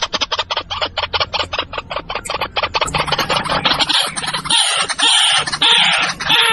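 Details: White-breasted waterhen giving loud, harsh, clipped notes repeated rapidly, nearly two per second, for about three seconds. These then merge into a continuous rough chattering with squeaky higher tones.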